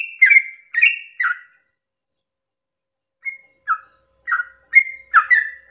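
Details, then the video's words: Dawn song of a yellow-vented bulbul, played to provoke other bulbuls: three gurgling downslurred phrases, a two-second silence, then softer notes building back into rapid bubbly phrases. "pancingan trucukan ropel panjang subuh pagi hari merangsang emosi trucuk lain agar ikut bunyi Ropel"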